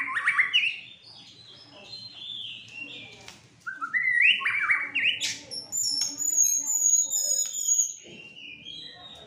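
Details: White-rumped shama, a caged fighter bird described as agitated, giving varied whistled phrases, rising slurs and sharp high notes with long thin high whistles, mixed with quieter chirps and faint background murmur.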